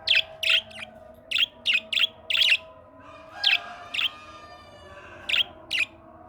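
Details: Australian parrot voicing a lively series of short, high, sharp chirps, often paired or clustered, about a dozen across six seconds, over a faint steady low hum in a natural setting.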